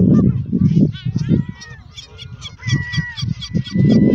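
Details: Canada Goose in Westbroekpark, Scheveningen, The Hague. Rough nasal honks come in quick uneven runs, about two a second, easing off mid-way before loud honking resumes. A thin steady whistled tone runs through the middle.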